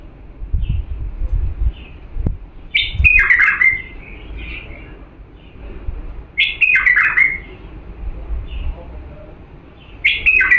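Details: Purebred Diyala bulbul singing as a tutor for young birds: short, rich warbled phrases around every three to four seconds, with soft single notes between and low background rumble.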